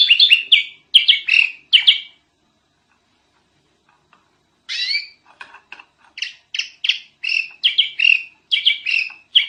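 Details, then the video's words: Sooty-headed bulbul masteran tutoring song: clusters of loud, bright chirps and slurred notes in quick bursts, a two-second silence, then renewed runs of clipped, emphatic notes repeated irregularly. "Kicau Kutilang Masteran Edan Brisik Banget"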